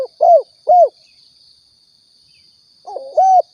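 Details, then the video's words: Spotted dove call from Riau, played as a lure for hunters: two short arched coos, a silent gap, then a rolling burr leading into a longer coo, with a constant faint high-pitched hum behind. "suara tekukur balam pikat & nembak Riau"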